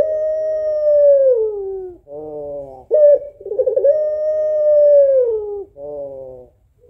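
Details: Female puter pelung (African collared dove) giving its sad call to draw a male. Long falling coos, a brief reedy nasal phrase between them, and a rapid rolling flutter that swells into another sustained coo.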